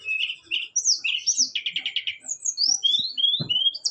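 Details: Caged brown-chested jungle flycatcher singing hard under a mental test: high chirped slurs, a quick run of about eight rattled notes, then a series of rising thin whistles, with a sharp knock near the end.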